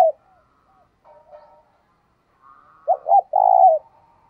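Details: Lure spotted dove calling to attract wild doves: after a clipped note and soft low murmurs, two quick rounded coos lead into a drawn-out, grainy coo that tails downward, with no other sounds present.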